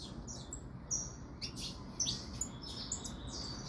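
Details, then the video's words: Saffron finch, called canária-da-terra and described as fogosa (spirited), giving short, high, sharp chirps and brief whistled notes, spaced irregularly over a few seconds against a low steady background hum. "Canaria da terra Fogosa"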